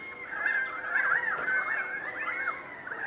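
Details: Currawongs calling back and forth in a large passing winter flock at Donvale, 2014: loud warbling, looping whistles repeated in quick succession over a steady chorus of other birds of the flock.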